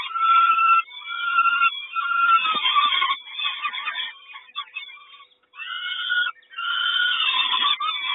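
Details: At a Kawęczyn peregrine falcon nest, 3 June 2022, as the mother delivers breakfast: hoarse, grating calls in quick repeated phrases with rising squeaky notes, a near-silent gap around second five, then loud rasping resumes.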